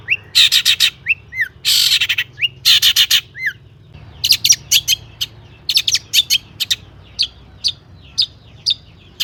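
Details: Long-tailed shrike singing with varied imitated fills as a prompt for other shrikes: harsh rasping bursts mixed with short downslurred whistles, then a looser series of sharp high ticks and chips.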